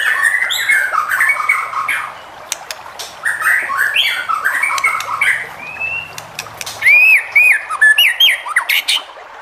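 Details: Singing white-rumped shama, used to spur other shamas to answer, delivers rich slurred whistles, squawky phrases and fast rising notes in irregular bursts over a faint low background hum.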